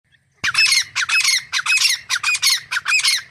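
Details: Grey francolin, a wild game bird of South Asia, giving a loud harsh squawking series that starts abruptly and runs as rapid grating notes, about two each second, with no other clear sounds.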